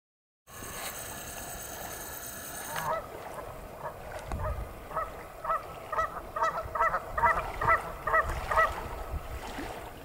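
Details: Canada geese on Travis McNatt Lake, Big Hill Pond State Park, 3 February 2018, honk in a run of nasal two-note honks repeated about twice a second, over a low background hiss.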